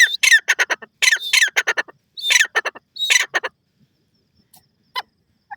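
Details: Teetar partridge, called Irani tetar, giving rapid rasping squawks in quick bursts for about three and a half seconds, then falling nearly silent apart from a few faint distant notes.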